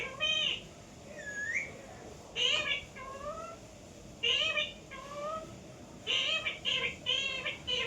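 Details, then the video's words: Indoor pet parrot producing repeated harmonic, meow-like and speech-like calls in groups, with a clear upward-sweeping whistle near the start and bursts of rapid chatter toward the end. "parrot sound"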